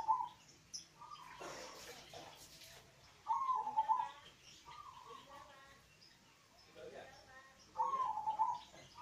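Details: Local zebra dove song used to encourage reluctant doves to call: short bubbling coo phrases repeated about every four seconds, with brief faint rustling and distant chirps between.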